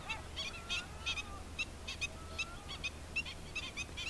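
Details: Adult black-winged stilt with chicks, uttering insistent high nasal yaps in uneven series, while faint thin drawn-out whistles slide beneath them; a low steady hum in the background.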